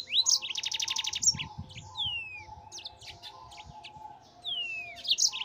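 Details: Master recording of yellow-fronted canary song for tutoring cage birds: opens with a rapid buzzy high trill, then scattered sharp chirps and long descending whistled slurs, ending in another burst of high twittering notes.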